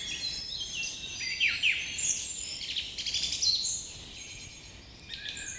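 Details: Several birds chirp in the morning, a busy overlapping chorus of high twittering notes and short downward-slurred whistles, with fuller bursts around the middle and a quieter stretch near the end.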